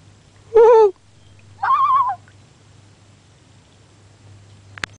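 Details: Wintering female common loon in March, met from a canoe on the sound at Pea Island National Wildlife Refuge, answering a person's imitated loon call: a lower wavering quavering note, then a higher, brighter tremolo, followed by quiet water and a faint click.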